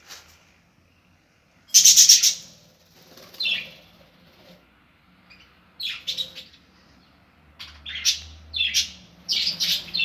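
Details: Aviary budgerigars around their nests give a loud rasping burst, then clusters of quick, harsh descending chirps coming faster toward the end.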